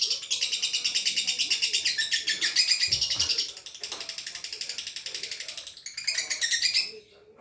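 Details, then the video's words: Lovebird training song of long duration: rapid, high pulsed chattering in continuous bursts with a brief dip near three seconds, fading out at the end. "MASTERAN LOVE BIRD DURASI PANJANG"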